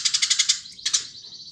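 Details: Short run of six quick, harsh chirps from a Eurasian tree sparrow, followed by two more notes fading into a thin high buzz.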